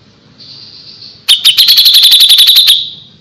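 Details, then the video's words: A thin steady tone leads into a dense, regular trill of rapid high clicks from a grey-cheeked bulbul singing gacor, about twelve notes in a little over a second before trailing off. "suara burung cucak jenggot // cucak jenggot gacor masteran burung cucak jenggot"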